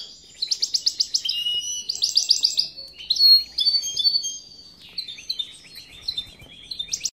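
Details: Quick, high, tinkling phrases from a European goldfinch hybrid, with pulsed buzzy trills repeated twice early on, then softer chirps and twitters that trail off.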